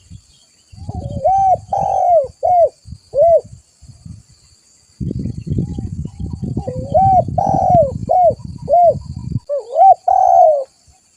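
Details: Spotted dove calling vigorously, recorded as a lure for trapping: hollow, mellow coos in short phrases, a quick bent note followed by longer drawn-out notes, a burst near the start and another after a pause, with low thumping and rustling noise between.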